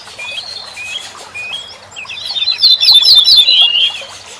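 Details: Corn bunting song played for tutoring songbirds: after faint chatter, a loud, fast jangling burst of sharp, slightly falling notes fills the second half, over a busy background of many other chirping birds.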